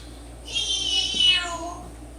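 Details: Pet African grey parrot, 10 years old, making noises indoors: one loud, drawn-out, harmonic, meow-like cry that slides downward over about a second, over steady low room hum.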